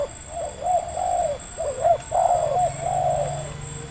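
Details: Wild local spotted dove with a medium voice, caught quickly with a decoy: soft throaty coos, several short arched notes followed by longer drawn-out hoots, one phrase running into the next, with light background noise.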